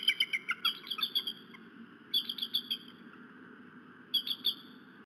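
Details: Eagle cries recorded 10-02-2018: three bursts of high, piping chitters, each a quick run of sharp notes, over a steady low rumble and faint hiss.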